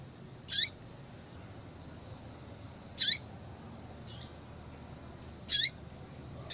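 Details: Female Yellow-bellied seedeater call, used to excite a male into singing: short, sharp, high chirps that sweep steeply downward, three loud ones about 2.5 seconds apart with fainter softer notes between, over a steady low background hiss.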